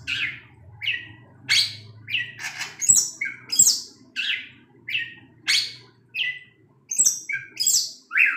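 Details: Long-tailed shrike calling at night while flicking its tail: coarse, grating squawks, each slurring downward, repeated irregularly about once or twice per second, with occasional faint knocks in the background.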